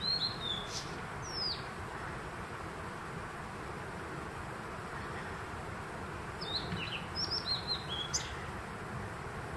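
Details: In June 2023 at Konashidaira by Kappa Bridge, Kamikochi, a Blue-and-white flycatcher gives two high whistled phrases several seconds apart, the second a rapid run of short slurred notes, with continuous broadband rushing noise throughout.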